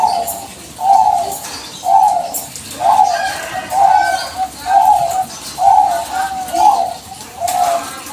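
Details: Bangkok-type zebra dove calling nonstop, meant to lure other doves into replying: about eight soft, burry coo phrases at a steady pace, roughly one a second, with a quiet background.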